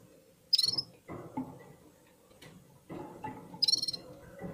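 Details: Red-fronted serin warming up its voice among other birds: two loud, brief, high twittering bursts about three seconds apart, with shuffling low noises between them.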